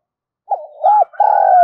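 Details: Spotted dove calling continuously in the 'giọng thổ' style: a wavering coo, an arched coo, then the start of a long steady hoarse coo, with a faint higher bird note overlapping.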